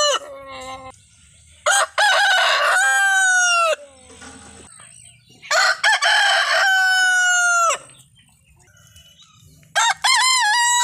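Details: Desi rooster crowing in India: two long cock-a-doodle-doo crows, each about two seconds with a rough start and a drawn-out, slightly falling tail, spaced roughly four seconds apart, with a third crow beginning at the end.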